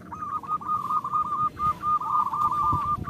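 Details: Perkutut, the local zebra dove, in a long run of rolling, trilled coos with brief breaks; played to stir caged doves into song, over a rumbling low background.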